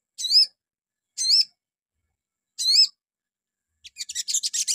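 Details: Crimson sunbird in the morning, used to provoke other birds into song: three sharp, looping whistled phrases about a second apart, then a rising burst of rapid high chatter.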